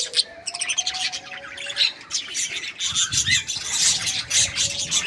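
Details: Budgerigar chirping, said to be happy: quick rasping chatter with short clicks and a few thin whistled notes, uneven rhythm.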